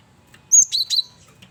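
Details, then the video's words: Male cinereous tit lure song: a high clean whistle leading into two lower rasping notes, quickly delivered, with faint background murmur. "Burung Gelatik Batu jantan||Burung Gel wingko Gacor Variasi Buat Pancingan"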